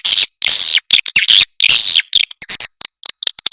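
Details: Lure recording of swiftlets, used to attract and call the birds to roost. Long harsh, buzzy twittering bursts alternate with quick short chirps and brief silences.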